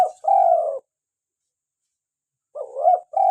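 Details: Spotted dove, a local Indonesian tekukur in lively calling form, recorded as a lure for trapping and to prompt captive birds to call: mellow cooing notes around a low pitch, a long steady coo, then a rising two-part coo and another long note.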